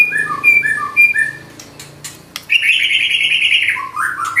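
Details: White-rumped shama in vigorous 'nembak' song with 'isian' fill phrases: paired clear whistles, then a sustained harsh, buzzy warbled phrase and a final rising note.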